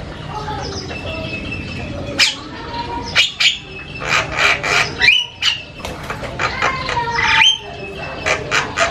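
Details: Javan myna singing loud and varied: harsh rasping squawks, creaky bursts and clear rising whistled notes come in quick uneven runs, with short pauses between phrases.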